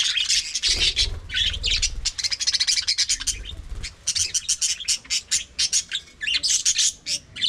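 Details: Aviary colony of budgerigars producing a continuous mix of shrill chirps and buzzy warbled phrases, with many overlapping birds, brief pauses, and a low rumble early on.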